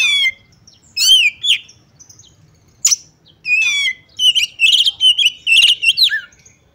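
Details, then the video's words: Provoking calls of a female magpie-robin intended to make males fight. Separate descending whistled notes and buzzy trills, a sharp click, then a faster burst of bubbling, rising and falling high chatter. "Pancingan Kacer Agar Cepat Emosi || Langsung Bukor Tarung"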